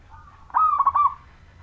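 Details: Majapahit-type local wild zebra dove in full song, used to prompt other zebra doves to sing: a single loud, clear phrase of about five quick rolling, bubbling coo notes lasting half a second.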